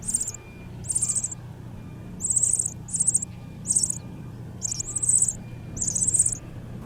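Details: Meadow bunting nestlings responding to a parent: repeated bursts of very high, thin, rapid chirping begging calls, each about half a second long, recurring every second or so over a low hum.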